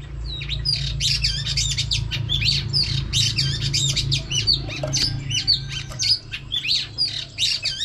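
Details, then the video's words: Female oriental magpie-robin, whistling to excite males, gives a steady stream of sharp, high, hooked whistles and chips in quick succession above a constant low hum. "chòe than mái HUÝT KÈM THÚC TRỐNG.chòe than mái kích trống căng lửa.chim chích chòe than mái hót"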